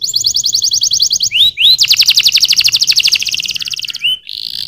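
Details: Canary song: a rapid rolling trill, two rising slurred whistles, then a loud series of quick repeated notes that gradually slows, ending with a short upslurred whistle and a steady buzz.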